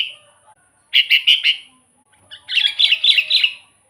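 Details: Lively sooty-headed bulbul song, meant as a lure for wild bulbuls and as a tutor for birds that rarely sing: bursts of rapid bubbly whistled notes, a short series followed by a longer, busier run.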